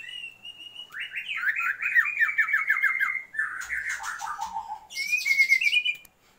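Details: Oriental magpie-robin female calling the male to lift his breeding drive: a thin steady whistle, a rapid descending chatter, a harsh buzzy burst, then a brighter whistled phrase.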